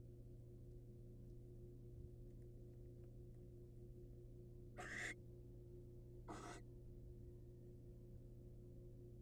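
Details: Wild barn owl male presenting prey to the female: after a quiet spell, two soft rasping hiss bursts about a second and a half apart, faint against a steady low hum and light ticking.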